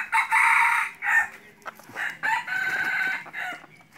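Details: Decoy junglefowl kept for hunting wild fowl, crowing in a series of harsh, buzzy bursts of under a second each, with short broken phrases and some background clatter between them.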